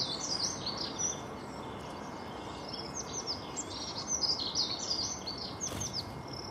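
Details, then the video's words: European greenfinch singing a rapid, high twittering run of chirps and trills, over a steady background hiss and faint hum. "Florya kuşu"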